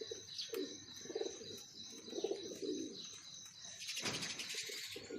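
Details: Low rolling coos from a breeding pair of pigeons, repeated several times, with continuous high chirping behind and a sharp burst of noise near the end.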